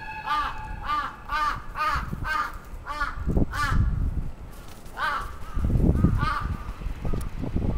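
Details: A crow on the attack in Sapporo's Atsubetsu Ward, Japan, 27 June 2017, gives loud, hoarse caws in a loose series, over heavy low rumbling noise that swells toward the end.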